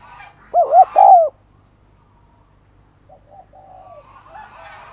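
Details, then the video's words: Decoy spotted dove cooing to draw in others: a quick triple coo run into a longer falling coo, followed by faint distant coos and light background chatter. "Chim Cu Mồi Thúc Gáy Gọi Mới Nhất / Kích Bổi Siêng Gáy , Có Cả Thúc"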